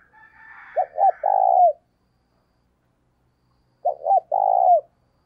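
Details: Cooing decoy spotted dove, used to encourage another bird to coo: two phrases of two short notes and one long falling croo, the first preceded by a brief higher, rough sound.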